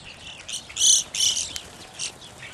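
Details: Evening grosbeaks calling: loud, burry, high notes with stacked overtones, two strong calls close together near the start and softer single notes afterward, over a quiet background.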